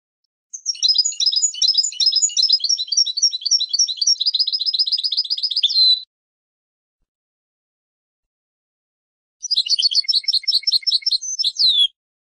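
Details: European goldfinch song: a fast, liquid run of twittering, tinkling notes lasting about five seconds and ending in a drawn-out buzzy note, then a pause and a second shorter twittering burst; no other sounds.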